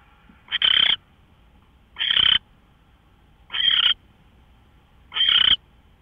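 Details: Owl at dawn hour, 5:27 AM on 24 March 2013, repeating grating screech-like calls about every one and a half seconds, four in six seconds, each with a brief lead-in.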